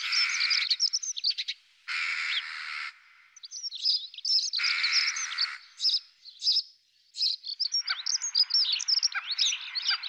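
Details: European robin courtship, with the male feeding the female as she begs with quivering wings; harsh, noisy bursts about a second long alternate with short pauses and bright, high chirping phrases, ending in a rapid twittering run.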